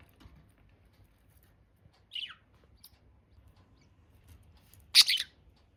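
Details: Budgerigar calls in a quiet room: one downward-sliding chirp, a faint tick, and then a loud, harsh, broadband squawk.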